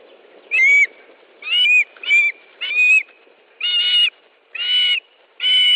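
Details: Osprey calling at an Estonian nest during a fish delivery, 13 July 2013, 17:58: piercing, slightly downslurred whistled notes, each about a third of a second, given in an uneven series of roughly one per second.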